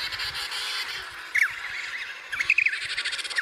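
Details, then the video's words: Chirps from a baby emperor penguin: a high, wavering whistled note, then a quick run of two or three similar chirps and a final one, over a hissing, breezy background. "Cute chirps by a baby emperor penguin"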